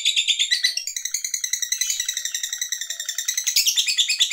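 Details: Lovebird chattering in the long ngekek style of a fighter bird, meant to provoke rivals: quick high rasping notes in a continuous rattle, bursting brighter and busier near the end.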